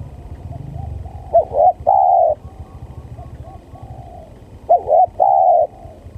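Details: Spotted dove cooing as a lure for trapping, very vocal: two repeated phrases of short rising notes ending in a long level coo, over a low rumbling background.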